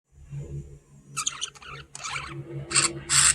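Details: A curious pet budgie investigating a camera gives scratchy, broadband chattering bursts over a low steady indoor hum.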